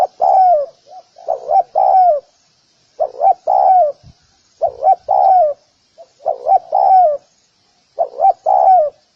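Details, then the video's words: A spotted dove calls to attract other doves, giving rhythmic three-note cooing phrases, two clipped hooked notes then a long falling coo, with faint soft coos between phrases. "Tiếng cu gáy gù kích bổi nhanh nổi _Tiếng chim cu gáy"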